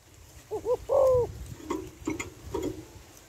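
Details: Female spotted dove calling to rouse males: a single phrase of two brief wavering notes and a longer sustained coo, followed by scattered knocking and rustling noises over a steady background hiss.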